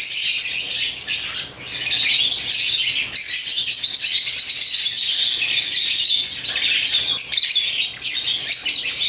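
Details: Pet African lovebirds amid their toys produce a dense, high-pitched wall of chirps and squeaks that runs without a break for nine seconds.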